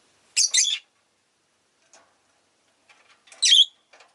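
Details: Several pet rosy-faced lovebirds give harsh, high, shrill chirps: a quick double burst at the start, faint ticks, then another loud screech near the end, with city noise such as traffic in the background.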